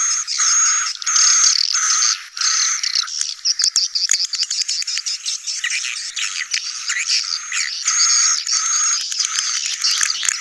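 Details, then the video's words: Many swiftlets calling together in a sedot anakan colony recording for new buildings; thin high whistles over dense chirping, repeated in rhythmic bursts with brief gaps. "KOLONI SEDOT ANAKAN"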